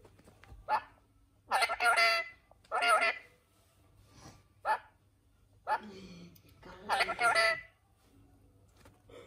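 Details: Pet parrot talking while playing with children indoors: several short harsh raspy bursts of mimicked speech, about half a second to a second each, separated by pauses, with a steady low hum behind.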